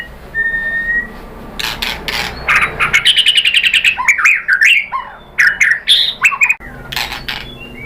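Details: White-rumped shama song played as a lure so other birds answer: a single soft whistle, then a rapid string of repeated sharp notes flowing into swooping whistled phrases.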